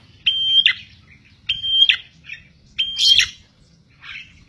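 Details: Prinia known locally as prenjak tilek, recorded singing briskly as a bird lure. Three clear level whistles, each closing with a sharp downward twist, spaced about 1.3 seconds apart, with a buzzy chatter after the last.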